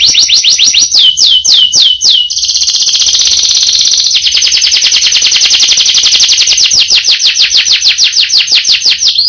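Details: Canary in full song, performing a long roll: a few high, sweeping notes lead into a very fast buzzing trill, then a steady run of repeated downslurred whistles continues without a break.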